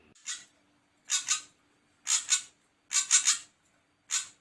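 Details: Ashy drongo giving hoarse, hissing notes in doubles and triples, spaced roughly a second apart, over a faint low hum.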